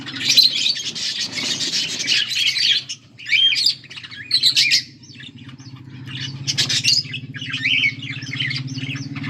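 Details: A budgerigar pair keeps up loud, continuous chatter of rasping squawks and quick chirps, pausing briefly near three seconds, with a steady low hum beneath.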